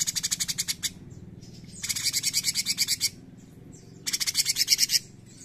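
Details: Cucak cungkok bulbul in 'gacor nembak' delivery: three long runs of rapid, buzzy, staccato high notes about a second apart, with faint short whistles in the pauses.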